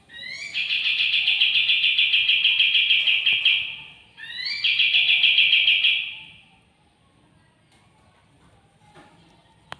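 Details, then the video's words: Newly acquired wild-caught white-eye, home two days and starting to find its voice, sings two sustained high trills of rapid, evenly spaced notes, each opening with a brief rising lead-in, followed by near silence. "Kapas tembak ombyokan 2hari dirumah sudah mulai buka suara"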